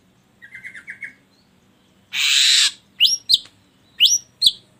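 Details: Ashy drongo lure song meant to set other birds singing: five soft nasal notes in a quick run, a pause, a long harsh hiss, then paired sharp upward-sweeping whistles with clicking edges.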